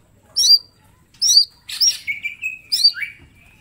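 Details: Captive mini green leafbird song used as training material: separated high chirping bursts, then a drawn-out whistled note and quick twittering phrases, all clear with a faint low background hum.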